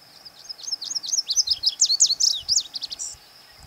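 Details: A male Lazuli bunting sings his summer song, a quick, high, jumbled run of sweet chirps and slurred notes lasting about three seconds, over a steady faint background hiss.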